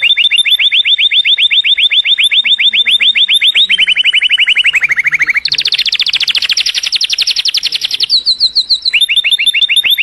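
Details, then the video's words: Canary song meant as a model for young canaries and other songbirds to learn: rapid trilled rolls, steady runs near one pitch that dip lower, then a higher buzzy tour before returning, about four notes per second. "Best Canary Singing - Kenari Anda akan bernyanyi dalam 5 menit"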